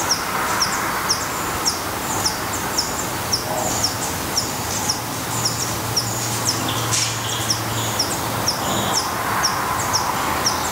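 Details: Steady high chips drop in pitch and keep coming about twice a second for over ten seconds at a Black redstart nest in Portugal, with a low hum and constant hiss behind.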